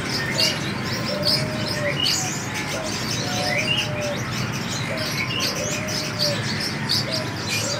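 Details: Seven-coloured sunbird, free-flying, giving high thin chirps and short twittered notes in scattered bursts, with a dove's low drawn-out cooing repeated behind and steady background hiss.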